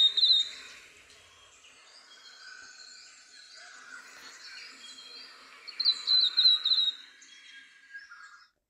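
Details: Flame robin seen on a cycle path near Widford Road, Glenroy; the calls were added from a separate recording. Two short bursts of high, thin, rapid chattering notes over a soft chorus of distant birds.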